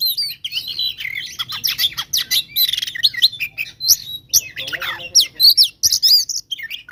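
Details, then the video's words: Fighting 'tarung konslet' song of an oriental magpie-robin, played to anger rivals quickly: a dense, restless stream of shrill twittering notes, quick up-and-down slurs and harsh buzzy bits, with hardly a gap throughout. "SUARA BURUNG KACER GACOR TARUNG KONSLET"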